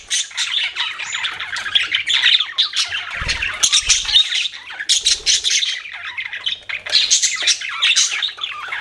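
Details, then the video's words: Pet budgerigars chirping in a dense, continuous chatter of squawky, buzzy notes and quick warbles, several birds overlapping with barely a pause, plus faint low thumps now and then. "BUDGIES CHIRPING SOUND"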